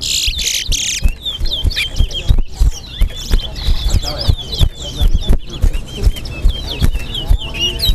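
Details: Chestnut-bellied seed finch (towa towa) in a Guyanese bird-singing contest, giving repeated short whistled and trilled phrases behind clattering knocks and background talk and counting.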